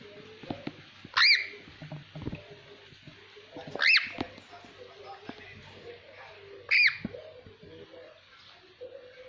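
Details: Ringneck parrot whistling in different voices: three clear, quickly rising whistles about three seconds apart, over soft murmuring voices and background noise.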